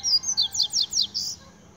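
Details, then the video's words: Double-collared seedeater of the "Tui Tui" song type sings a quick run of six high, clear, down-slurred notes, ending on a longer ringing one, over a quiet background. "Papa capim Tui Tui de muita fibra cantando muito"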